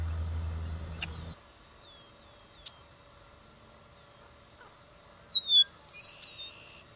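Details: Eastern meadowlark giving a burst of bright, slurred descending whistles near the end, after a stretch of low rumble, a few faint ticks and near silence.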